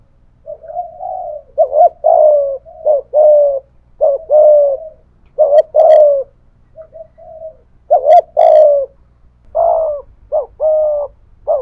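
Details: Steady bout of spotted dove cooing from a decoy of the thổ voice style challenging a wild dove; many short-long coo pairs, slightly uneven, with a brief soft trailing note midway and low background hum.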